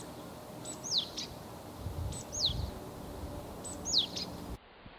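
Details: Japanese tit calling: three repeated two-note phrases roughly one and a half seconds apart, each a very high thin note followed by a clear whistle sliding steeply downward; soft rustling and low background noise, ending abruptly.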